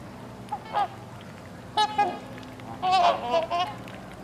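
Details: Captive Trumpeter x Whooper swan hybrids at Kellogg Bird Sanctuary, Hickory Corners, Michigan, give three bursts of nasal, bugling honks, the last a longer run of overlapping calls, over a low steady hum.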